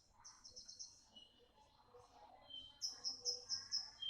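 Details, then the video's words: Sharp song of a young Javan bush lark, rather quiet: high buzzy trills and thin whistled notes, ending in a clear series of about six evenly spaced, piercing high chirps. "BURUNG BRANJANGAN PARVA MUDA GACOR SUARA TAJAM"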